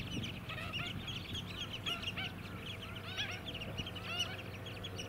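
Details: White-headed Stilts calling as a flock on mudflats at Scarborough, Queensland, in July 2017: busy clusters of short, honking, arched calls that swell and ease, with a low rumbling engine noise throughout.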